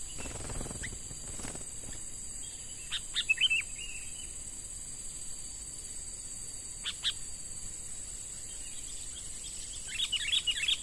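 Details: Sooty-headed bulbul, a young bird from the wild caught with a lure and in training to become a reliable decoy. It gives brief clusters of sharp, chirping notes, with gaps of quiet and a constant high-pitched insect hum behind.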